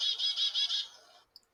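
A chickadee gives a quick run of four buzzy, high dee notes, tightly repeated.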